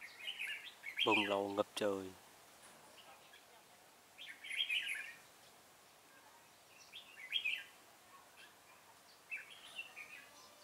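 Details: Red-whiskered bulbul decoy used for trapping, delivering a fighting song: short warbled phrases repeated every few seconds, with a loud harsh rattling call from another bird near the start, over steady hiss.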